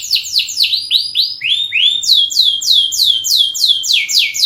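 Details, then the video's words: Canary singing a long lure song of continuous quick downward-sweeping whistled notes, about four per second, shifting pitch and rhythm between phrases. "masteran burung kenari gacor panjang untuk pancingan"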